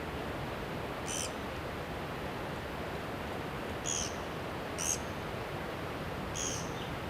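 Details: Japanese pygmy woodpecker chicks at a nest hole in a mountain village in Shimokitayama, Nara, Japan, in mid-May, parents bringing food every 15–30 minutes; four thin, high squeaky bursts spaced irregularly over steady background hiss.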